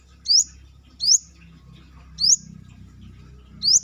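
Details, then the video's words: Outside the cage a Brown-throated sunbird, called Manggar locally, repeats a piercing high rising note four times in under four seconds, over a low rumbling background. "KORLAP (Kolibri kelapa)Manggar gacor luar sangkar"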